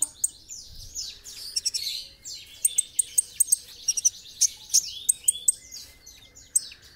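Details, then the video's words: Olive-backed sunbird, known locally as kolibri ninja, singing energetically as a tutor recording for training birds: rapid high, thin chirps and sharp repeated ticking notes in quick bursts, with fast twittering runs and short buzzy slurs throughout. "masteran kolibri ninja gacor"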